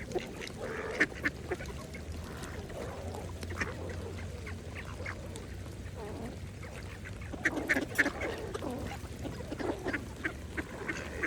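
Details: Mallard ducks feeding on pond water, giving soft, murmuring nasal quacks and busy clicking sounds from dabbling, which grow livelier toward the end.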